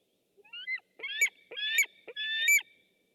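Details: On 6 August 2015 a webcam picks up a white-tailed eagle calling three loud, shrill, harmonic yelps at roughly even half-second gaps, preceded by a couple of softer rising notes; background otherwise silent.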